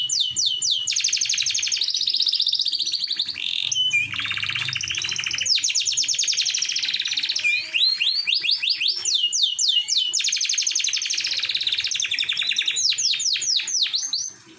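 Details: Canary singing to attract a female, sustained high trills broken by bursts of quick downward-sweeping notes, a lower buzzy rolling section, then more rapid swept phrases, continuous and loud throughout.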